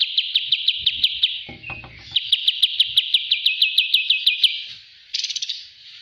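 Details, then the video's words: Olive-winged bulbul, a master recording for training, in a rapid run of sharp, bright chirps repeated several times a second at a high, even pitch, a short pause, then a second long chirping run and a brief buzzy burst. "master Ampuh burung kapas Tembak"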